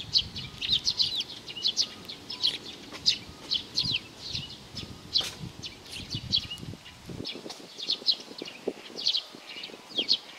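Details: Young sparrow giving short, high chirps in quick irregular series, several per second, over soft low rustling and tapping sounds throughout.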